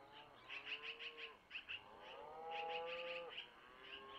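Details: Long-eared owl owlets begging during a feeding by the mother, who took the food from the male, around 05:05 at a nest cam; a quick run of high chirps, then long, smooth, harmonic notes and more chirping.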